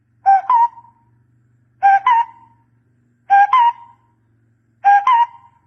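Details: Barbet sound used to lure birds to a decoy: double hollow notes, a lower note followed by a stronger, slightly higher one that tails off, repeated about every 1.5 seconds over a faint low hum.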